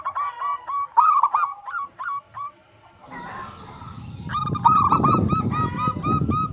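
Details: A local zebra dove sings a lure song meant to prompt other doves to answer. Rolling, trilled coos and short repeated notes are followed by a hissing, rumbling noise, then the bird's quick coos return over that background.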